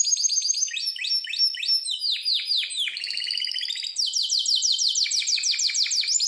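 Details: Harz Roller canary song for training: quick trills of downward-sweeping notes, a short buzzy rattle, then a long run of repeated falling whistles at a brisk pace.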